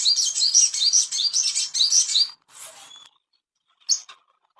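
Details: Ashy tailorbird song used as a master recording to bring kept birds into breeding condition: a fast series of high, sharply rising whistled notes, about eight in just over two seconds, then a short buzzy burst and two brief chirps.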